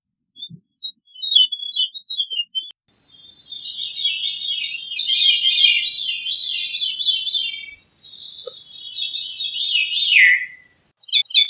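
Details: Veery delivering a long, wavering, spiralling run of reedy notes that rolls on for several seconds, then a second phrase sliding downward, with a few soft clicks at the start.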